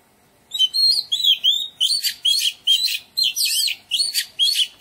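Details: Oriental magpie-robin singing in a garden: a loud, melodious run of varied whistled phrases, sliding and warbling, delivered in quick bursts about twice a second after a short silence, with nothing else audible.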